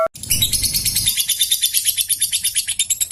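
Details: Lovebird of the fighter type in full song, kept to get other lovebirds singing: after a short low rumble, a fast run of harsh, high chattering notes repeated about three times a second, steady and unbroken to the end.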